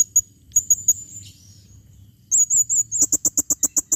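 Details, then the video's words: Calling female Blue-crowned hanging parrot, 2021: shrill, wavering high squeaks drawn out in short strings, ending in a fast run of about ten sharp, evenly spaced clicky notes. "serindit betina memanggil"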